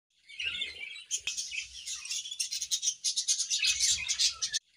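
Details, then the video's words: A pair of budgerigars in an aviary on a morning gives a dense, fast chattering warble of scratchy, high chirps and squeaky notes, sounding continuously after a brief quiet start, with a soft thump near the beginning. "A Beautiful Morning with Budgie Pair | Serenade in the Awesome Aviary"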